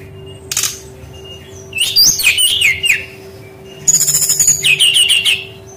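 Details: Brown-chested jungle flycatcher lure song for young wild birds that sing little. Dense, high whistled phrases with slurred descending notes and rapid chips come in two main bursts after a brief opening note, over a low hum.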